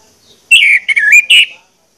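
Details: Orange-headed thrush lure song: one brief, rich phrase of warbled, bending whistles and a quick flourish, lasting about a second in otherwise quiet surroundings.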